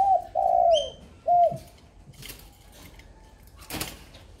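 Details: Tame, large red-eyed spotted dove giving a deep two-part coo, one drawn-out note then a brief one, with a thin high chirp from another bird overlapping and faint knocks afterward.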